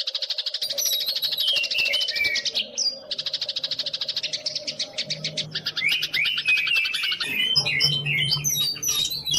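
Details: Master recording of a young wild-caught white-rumped shama for training captive songbirds: fast repeated chip series, rattling buzzy bursts and varied high whistled notes, over a low steady hum.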